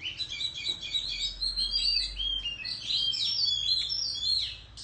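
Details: Countryside Oriental magpie-robin in a singing contest, fanning its tail as it performs; rich, rapid whistles and slurred notes tumble one after another without pause, bright and high, over faint low background rumble.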